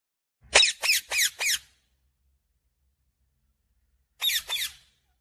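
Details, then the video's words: Parrot squawking: a rapid run of four rasping screeches, a pause of about two and a half seconds, then two more, in a quiet setting. "parrot Sound"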